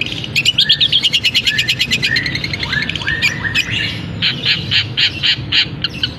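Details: A long-tailed shrike sings a fast, varied medley of high chirps, trills and rising whistles, mimicking canary and sparrow phrases, singing readily once its cage cover is removed, with steady background hiss.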